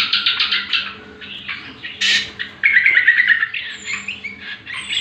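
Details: Greater green leafbird, locally cucak kombo, singing as a lure for training other birds: rapid chattering pulses, a sudden loud burst, then a quick rising trill of bright whistled notes and further chatter.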